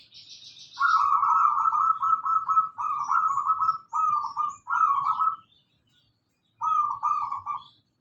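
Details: Local zebra dove singing actively, a lure song for prompting other birds: rapid buzzy trilled coos in a steady mid pitch, strung into phrases of about half a second, then a pause before a final phrase; a faint high chirp opens.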